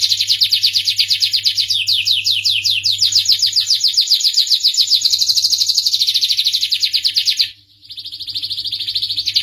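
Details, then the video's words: A canary delivers a long rolling trill sequence, rapid repeated notes changing speed and pitch, ending in a sudden short break and a renewed high trill; low steady hum present. "suara merdu kenari"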